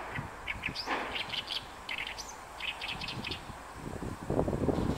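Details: Territorial song of an Oriental reed warbler in Inuyama, Japan, 28 May 2022, recorded on an OM-1; loud, scratchy chattering notes in clustered bursts, with a low rumble near the end.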